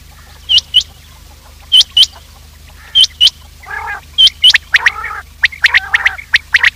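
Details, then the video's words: Morning quail calls used to lure quails into traps: loud paired whistled notes repeated every second or so, followed by rough, nasal, buzzing calls mixed with quick high chirps. "Quail trap sound effect : lure in Quails with this effective call"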